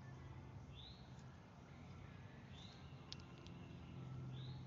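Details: Northern cardinal in the Appalachian foothills northwest of Atlanta, near feeders, woods and a creek; three soft slurred whistles, evenly spaced, with a few brief clicks and steady low background rumble.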